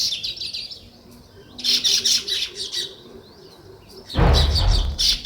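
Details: Natural sparrow chirping in bursts of quick, bright overlapping chirps with quieter gaps, and a short low rumbling noise near the end as the chattering resumes.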